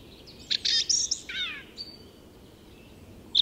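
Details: Song thrush singing at dawn in Tyresta National Park, Sweden: a loud, high phrase of sharp clipped notes and a quick descending whistled slur, then a thin whistle and a short sharp note after a pause.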